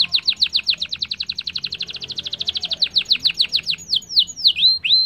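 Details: Singing canary, played so other canaries start singing: long rapid trill of sharply repeated whistled notes slowing into a few drawn-out swooping whistles, low background hum.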